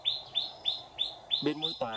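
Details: A red-whiskered bulbul of the white-cheeked type serves as a decoy at a trap. It gives four evenly spaced clear notes before a person starts speaking.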